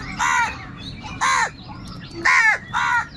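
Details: Crows fighting for food, calling angrily and loudly: four harsh, nasal caws spaced about a second apart, with faint chirping from small birds and a low background hum.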